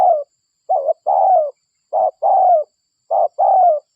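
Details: Spotted dove lure recording of a local bird: three regular coo phrases about every 1.3 seconds, each a short low note followed by a sustained falling coo.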